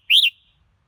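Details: A short, loud, bright whistle from a red-whiskered bulbul, rising and then falling in two quick parts.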